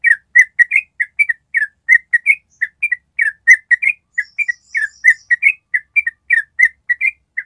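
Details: Yellow-vented bulbul giving a long ropel trill, meant as a training recording for other birds: bubbly, slurred whistled notes in quick, uneven bursts, with several notes packed into each burst and barely any pause throughout.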